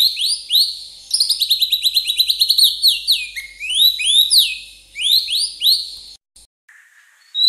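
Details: Oriental magpie-robin, a champion songster recorded as training material, pours out fast repeated high notes, then swooping upslurred whistles in several bursts, ending in a faint low whistle.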